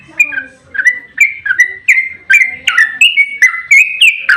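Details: Trucukan (yellow-vented bulbul) giving long 'ropel' fight song, played to spur other birds to answer. Loud, liquid whistled notes, each slurring down or up, about two or three a second in a steady run.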